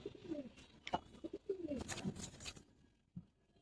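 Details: Military silver Gribaz pigeon calling indoors: low, rolling coos that bend up and down, several in quick succession over the first two and a half seconds, with clicks and a short low coo near the end.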